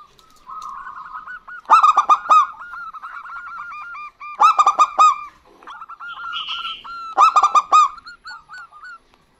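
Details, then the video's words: A female and a male local zebra dove sing in answer to one another: three loud bursts of quick clipped coos about two and a half seconds apart, with soft continuous cooing and a brief higher note between them. "Perkutut Lokal Gacor Betina Dan Jantan Bersahutan"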